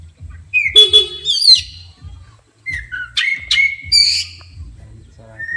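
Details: A short buzzy horn toot draws a rush of shrill whistles and rising sweeps from an agitated Oriental magpie-robin, which keeps calling after the horn stops, over low rhythmic thumping.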